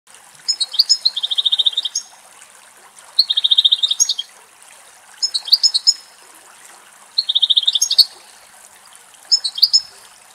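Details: Wild female European goldfinch in a cypress in Greece, picking insects from a spider web, recorded on site: bursts of tinkling twitters and fast buzzy trills roughly every two seconds over a soft background hiss.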